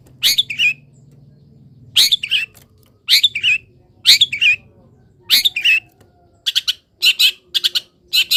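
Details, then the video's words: Caged long-tailed shrike singing happily in morning sun after being misted, uncovered from its cage cover; harsh buzzy high notes in clusters about every one to one and a half seconds, ending in quicker chattering bursts. "BURUNG CENDET SANGAT BAHAGIA KETIKA DI EMBUNKAN DAN KENA MATAHARI PAGI - CENDET GACOR FULL ISIAN"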